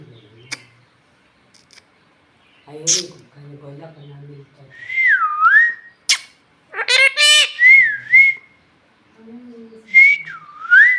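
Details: Bhojpuri talking parrot asking for roti, mixing low speech-like murmurs with looping whistled phrases that fall and rise, plus a rough harmonic squawk.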